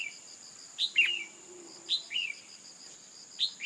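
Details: Red-whiskered bulbul female calling to excite a male into song; three pairs of a sharp high falling note and a rougher lower slur, over a persistent thin insect whine.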